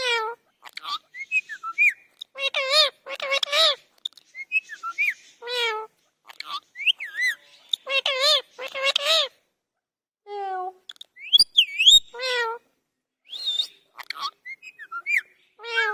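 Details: Talking parrot producing quick bursts of wavering speech-like syllables mixed with sliding whistles and brief squeaks, with short pauses between phrases throughout.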